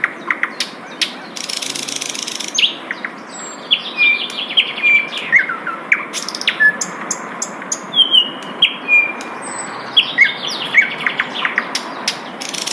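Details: Asian brown flycatcher heard in the wild giving scattered thin, high whistled notes and short sharp chips, irregularly spaced over quiet background.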